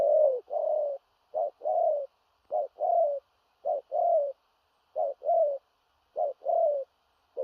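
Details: Spotted dove, big-bodied, in forceful 'thổ rặc' cooing with hurried, stuttering delivery: a sharp short note leading into a longer falling coo, repeated about seven times, some short notes doubled, in clean quiet surroundings.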